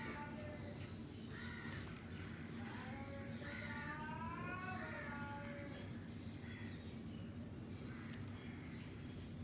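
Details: Pet Alexandrine and rose-ringed parakeets eating outdoors under the open sky give a run of wavering, harmonic chattering calls that bend up and down over several seconds, over a steady low hum and faint background rumble.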